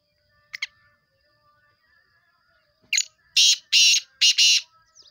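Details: Black francolin: after a faint note and a pause, a harsh series of loud rasping, grating bursts, with a faint tonal hum in the background.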